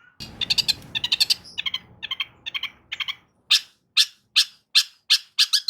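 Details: Long-tailed shrike song used as a lure to prompt a silent shrike to sing: harsh, clustered high chattering notes in quick bursts, then sharper separate notes about every half second, with low background rumble early on.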